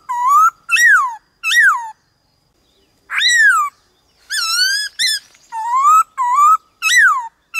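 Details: Varied-voice song of a white-cheeked laughingthrush for stimulating captive birds: loud rich whistles, some swelling upward and others arching down, in uneven bursts with pauses between phrases.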